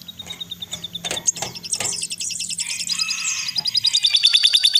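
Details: Young crested jays calling while being fed: a rapid, regular train of thin, high notes, about three per second, building into a dense, shrill chatter in the second half.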